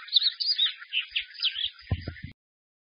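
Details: Caged white-eye singing loudly and clearly, with varied phrases in xiaoxu, swallow-call and sparrow-joy styles; quick high chirping warble lasting about two seconds, brief low thumps near the end before sudden silence.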